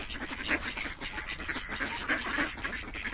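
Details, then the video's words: Brief burst of many ducks quacking at once, loud raspy notes crowding together. "Quacking Duck sounds"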